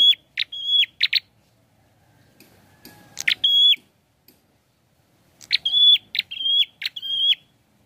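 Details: Prinia delivering bursts of song: clicky notes alternate with flat, high whistles in two clusters separated by a quiet pause of a few seconds.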